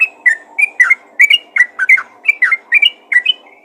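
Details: Sooty-headed bulbul giving calls to other bulbuls, paired bubbly whistled notes in a quick irregular series, ending on a thin sustained whistle.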